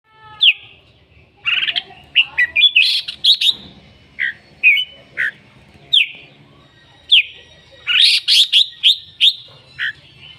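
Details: Red-whiskered bulbul calling and singing a great deal: short, bright whistled phrases, some sliding down, others quick chirpy notes, in bursts spaced roughly every half second to second, with a faint low hum underneath.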